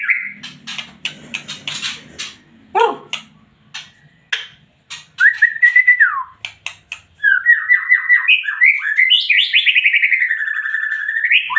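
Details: White-rumped shama singing hard with high emotion: sharp clicking ticks and rattles first, then a long run of rapid whistled phrases, rising and falling quickly, with ringing notes toward the end.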